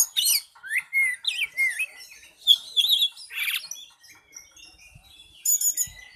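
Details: Oriental magpie-robin (kacer) with a lively, varied song: looping whistled slurs, squeaky up-and-down notes, a dense scratchy buzz midway, fainter chatter, then a final high rattling burst.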